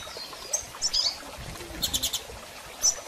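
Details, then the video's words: Female Double-collared seedeater calling to encourage a male to resume singing after moult: a few sparse, high, sharp chirps and one brief rapid stuttered burst, separated by quiet gaps. "Fêmea de Coleiro Chamando e Piando Muito - Ótimo Para Estimular Seu Coleiro a Abrir Canto Pós Muda!!"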